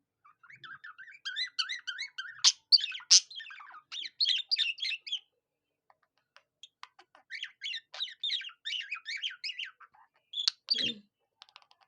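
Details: Pet budgerigar that sings like a cockatiel: long stretches of fast twittering warble mixed with whistled notes and sharp squeaks, a pause near the middle, then more chatter ending in a descending squeak.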